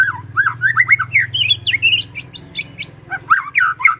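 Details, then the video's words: Magpie-robin in lively song used to provoke other birds to answer: a rapid chain of varied whistled, slurred notes rising and falling, over a low hum. "Murai Nyaut Gacor"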